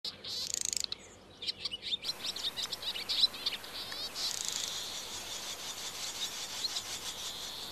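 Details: Swallow young being fed in the nest, 21 June 2023: a burst of high chattering and buzzy begging cries, dense and overlapping, fading into a steady high hiss.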